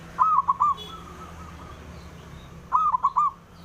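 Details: Male zebra dove, a local bird, calling to provoke rivals into answering: two clear cooing phrases of three short mellow rising-and-falling notes, about 2.5 seconds apart, with a softer echoing phrase between them.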